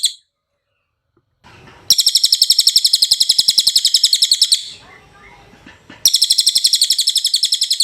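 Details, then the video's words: Masteran recording of a cililin singing: a long, high, rapidly pulsed trill of about three seconds, a quieter pause with soft low background noise, then another fast trill begins. "MASTERAN CILILIN SUARA JERNIH"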